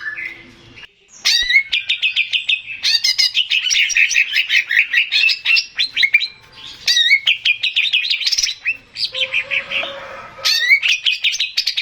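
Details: Lure song of a male greater green leafbird meant to draw answers from other birds: long, dense runs of rapid chattering and warbled notes, some clicking and rising whistles, continuing almost without pause across the recording.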